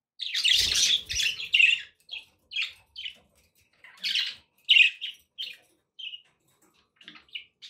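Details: Pet budgerigars indoors giving short bursts of harsh, scratchy chirps and squawks, clustered early then spaced out, with brief rapid notes separated by quiet gaps.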